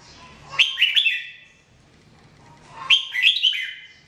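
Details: Song of a red-whiskered bulbul (Jambul), taped in 2017 as a training recording: two short, cheerful phrases of three to four liquid whistled notes, separated by a silent gap of about two seconds.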